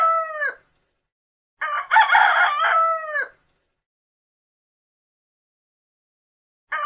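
A rooster crows: a harsh, drawn-out, arching cock-a-doodle-doo of about a second and a half, with clipped crows at the start and end and silence between.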